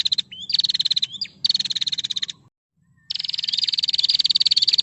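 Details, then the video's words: Lively female prinia calling as a rival answers; rapid rattling high-pitched ticks in bursts of about a second, broken by short gaps, then near silence, before a longer steady ticking run resumes. "prejak betina gacor musuh langsung nyaut"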